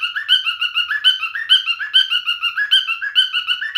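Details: A male cockatiel's song: rapid chirpy whistles strung together in a lively repeated pattern, each note bright and slightly bending in pitch, several per second, in a clean indoor recording.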